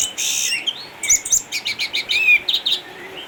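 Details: Caged orange-headed thrush, an eight-year-old former defending champion contest bird from Sukabumi now kept at home because of cataracts, still singing vigorously: rapid bursts of high chirps, buzzy trills and short whistled slurs, clustered notes repeated in quick succession.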